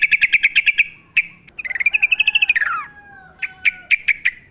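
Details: Yellow-vented bulbul singing in wild forest style: a quick burst of repeated notes, then a long bubbling phrase that rises and drops, and a final run of spaced chirps.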